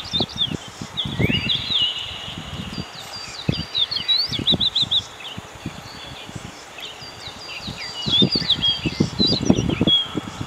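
Common stonechat giving rapid, scratchy high chirps and short trilled notes in quick bursts, over low gusts of wind buffeting.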